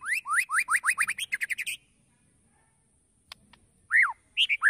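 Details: White-rumped shama song as a lure to provoke other birds: a fast series of upslurred whistled notes climbing in pitch, silence, then a few separate slurred whistles.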